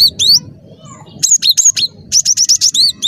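A cinereous tit sings bright, high whistled notes, some sliding up then down, delivered in quick bursts of about seven per second over a low rumbling background.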